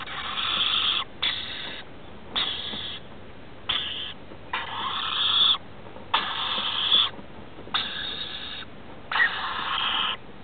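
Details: Rainbow lorikeets, a male and female with their two offspring, settling down for the night in a house roof; harsh, raspy screeching bursts of about half a second to a second each, around eight in ten seconds, over a steady low hiss.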